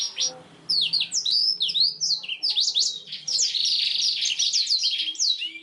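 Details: Black-throated canary song for training canaries: a short opening note, a brief pause, then a sustained stream of high, twisting whistles and buzzy rattles.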